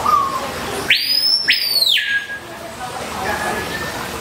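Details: Swallow tanager pair, the female gathering fruit and mealworms for chicks, courtship observed. A brief whistle opens, then two loud arched calls in quick succession rise steeply, sustain high and slide down, followed by faint distant notes.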